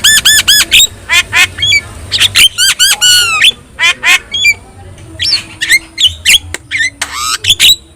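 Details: Javan myna, a lively yellow-eyed bird kept as a master singer to train other birds: loud harsh squawks and rasping notes rapidly repeated in bursts, mixed with whistled upslurs, over a low steady hum.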